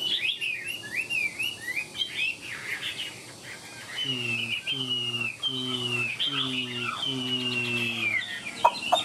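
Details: Caged Chinese hwamei displaying with a fanned tail: looping whistled phrases, then long high drawn-out whistles. A low, steady, repeated hum-like tone sounds beneath them midway.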